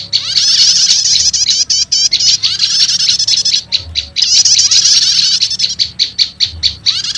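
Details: Prenjak lumut combined with prenjak setater as a lure for wild prenjak lumut: long high chattering trills broken by quick clipped notes, then another trill and a run of staccato chips.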